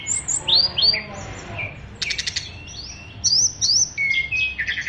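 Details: From a caged oriental magpie-robin praised for a dense repertoire of learned phrases: bright swooping whistles, a short harsh rattle, then clear high notes and rapid chirps in separate bursts.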